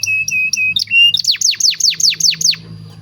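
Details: Canary song used as a master for young birds: a few short level whistles, then a series of about eight loud downward-swooping notes, one every third of a second, over a low hum.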